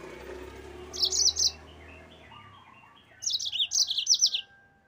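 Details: Two short bursts of high, buzzy, jumbled canary notes from a yellow-fronted canary in ngerol style, separated by about two seconds of low hum and faint background tones.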